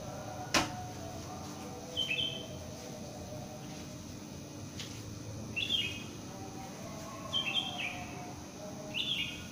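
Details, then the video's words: Bird calling after the dawn prayer in a residential complex, brief chirped phrases spaced about two seconds apart over constant low ambient noise, with a sharp click near the start. "SUARA BURUNG"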